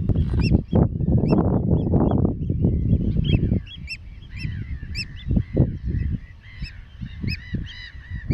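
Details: Eurasian oystercatchers at Terschelling, Netherlands, on grassland and mudflats: sharp piping notes, first spaced, then a denser overlapping chorus, with bursts of deep rumbling noise.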